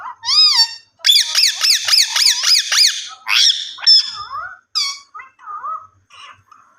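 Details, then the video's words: Rose-ringed (ringneck) parakeet talking, chattering in nasal, speech-like phrases: a quick run of six bright, clipped notes, then scattered squeaky syllables that rise and fall. "Ringneck Parrot Talking"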